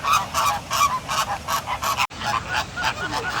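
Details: American flamingos in Singapore give nasal, goose-like honks in quick overlapping bursts, about three a second, from several birds calling together.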